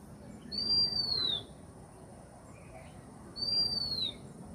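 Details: Two pure, high-pitched whistled notes from a bird said to be lonely, each gently falling at the end, about three seconds apart, above constant low background hiss and rumble.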